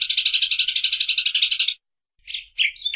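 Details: Rapid, even-paced rattling chatter of a Eurasian tree sparrow lasting almost two seconds, followed after a brief silence by a few scratchy chirps.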